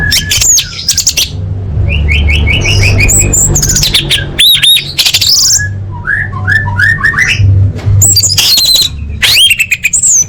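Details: Orange-headed thrush song played as a lure for caged birds: a long, varied stream of rising whistled notes, repeated short phrases, harsh scratchy bursts and high thin tones, over steady low-pitched background noise.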